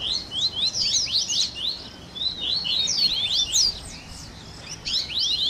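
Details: Double-collared seedeater 'baderna' mix meant to excite captive males, featuring grego, viviti, flauteado and third-note song variations: looser bursts of high, sweeping chirps and slurred whistles overlapping, with short gaps between phrases.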